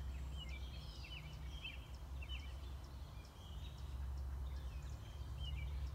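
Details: American robin nest with six-day-old chicks being fed: bursts of short, high, twittering chirps, some in quick rattling runs, recurring through the clip over a steady low rumble.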